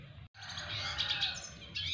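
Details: Red siskin of the double dilute colour form, learning to court a female, giving a dense, continuous high twittering warble after a brief silent gap, with a low background hum.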